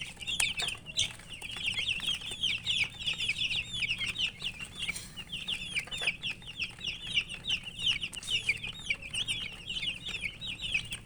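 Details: Several domestic chicken chicks (murgi) chirp nonstop as they eat, a continuous chorus of high, down-slurred peeps, with a few pecking clicks early on.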